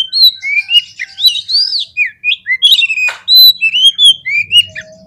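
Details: White-rumped shama singing to provoke fighting birds, a dense run of loud ringing whistles, looping slurs and clipped upward notes with hardly a break, ending in a buzzy trill and a faint low hum.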